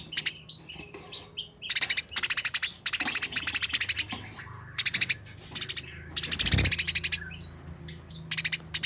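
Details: Eurasian tree sparrows fighting, giving tight, fast, harsh chatter in dense runs of chirps, interspersed with scattered softer high notes, over faint low hum.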